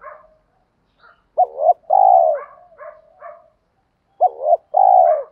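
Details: Spotted dove lure call for wild doves: repeated two-part phrases of a quick clipped coo and a longer mellow falling coo, separated by soft fluttering notes and short silences.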